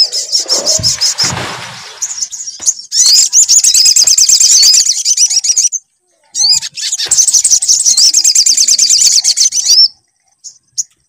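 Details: Sunbird song played as a lure to get a kept bird singing: long bursts of rapid, high, twittering trills with sweeping chirps, broken by a short silence, with low thumps early on.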